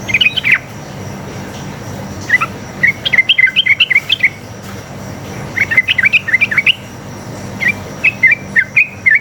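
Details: Sooty-headed bulbul, a vocal fighting-style wild song played as a lure for other birds to reply; clusters of sharp, warbling chirps come in uneven runs with brief gaps, over a faint steady background hum.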